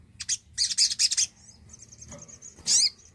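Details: Javan cochoa song used as a lure to prompt silent birds to sing: high, shrill chirping bursts in quick clusters, a thin sustained whistle, then a final loud squeaky note, over faint low background rumble.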